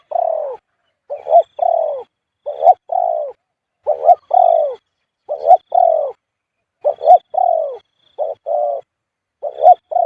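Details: Spotted Dove giving its khu-ang coo almost nonstop at point 38. Phrases repeat about every second: one or two short, clipped notes, then a longer, drawn-out, falling coo. There are roughly eight phrases, with a faint high tone in the background.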